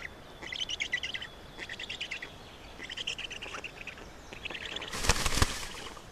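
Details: Feeding at a Black stork nest in Estonia, 27 May 2019 at 10:39; four rapid chattering call bursts, then a loud knocking thump near the end.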